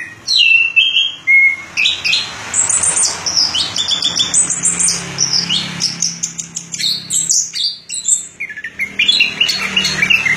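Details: Rich warbling song from an orange-headed thrush, mixing whistles and buzzy high notes in rapid bursts over a light background hiss.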